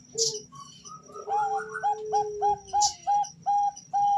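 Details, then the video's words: Female zebra dove of the Bangkok type calling to the male, used as a lure to teach birds to sing: a run of clear, evenly spaced cooing notes, each a short mellow note, repeated about twice per second, with faint chirps and hiss behind. "suara perkutut betina memanggil jantan"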